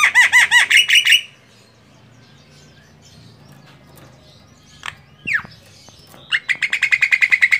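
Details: A female Javan myna gives bursts of loud, harsh, rapidly repeated chattering notes, about ten per burst, with quiet pauses and a few squeaky whistles between.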